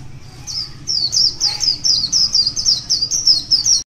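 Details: Wild white-eye in morning song, delivering a steady, rapid sequence of bright, high twittering notes that swoop downward, evenly spaced across the clip and stopping abruptly.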